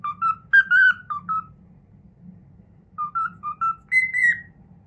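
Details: Cockatiel whistling fragments of the Pythagora Switch opening theme it learned, a quick phrase of slurred whistles, a gap filled by low rumbling, then paired notes ending in a long higher whistle.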